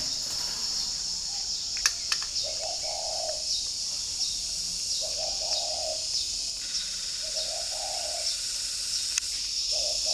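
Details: Spotted dove from a bird garden in Ba Vì, Hanoi, northern Vietnam, heard in the morning: soft, low, hollow coo phrases repeated about every two to three seconds over a loud, steady high insect drone.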